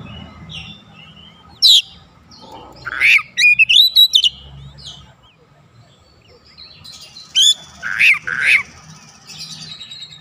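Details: Oriental magpie-robin song played as a lure for other birds: varied loud phrases of sweeping whistles, sharp downslurred chips and buzzy notes, separated by quiet stretches with low background hum.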